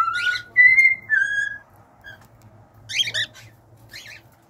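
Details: Cockatiel giving three short clear whistles, one higher and two lower, followed after a pause by a burst of scratchy, buzzy chirps and a softer rasping note.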